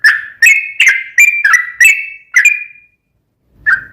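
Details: Sooty-headed bulbul in energetic long-running song used as a lure to make another bulbul sing back: short, bright whistled notes near two kilohertz, each with a sharp clicky onset, about seven in quick succession, then a pause and one more note.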